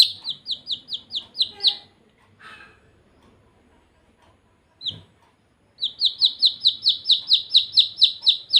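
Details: Baby chicks chirping in quick regular runs of high downslurred peeps, then a pause with a few scattered soft sounds, then a long steady series of peeps again.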